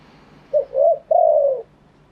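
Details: A single phrase of spotted dove cooing in wild style, sung live: a short clipped note, a rising slurred note, then a sustained, softly falling coo lasting about half a second.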